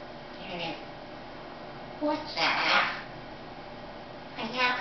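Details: A female African grey parrot speaks a few short, clipped words in a human-like voice, with brief pauses between bursts, indoors.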